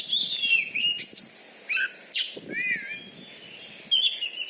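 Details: Oriental magpie-robin, a caged contest champion in Bengkulu, Indonesia, with a loud voice and special fighting style; sweet sliding whistles broken by sharp chirps and a long level whistle.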